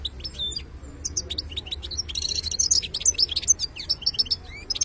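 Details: Khlawi-style song from a European goldfinch, starting with scattered thin whistles, then building into fast liquid twitters and dense buzzy trills that run to the end.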